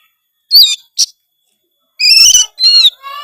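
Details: Oriental magpie-robin (kacer) delivering gacor song packed with isian: a couple of sharp slurred notes, a silence, then two long rasping harmonic phrases and a lower buzzy tail.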